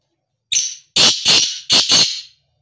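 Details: Call of a black francolin: a clipped rasping first note followed by four loud, scratchy, high bursts delivered as two rapid pairs, clean and close against silence.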